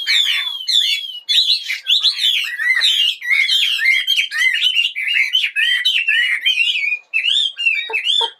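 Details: Singing bird in the morning giving a rapid, lively torrent of twittering and slurred whistled notes, steady and high-pitched, with a couple of brief pauses.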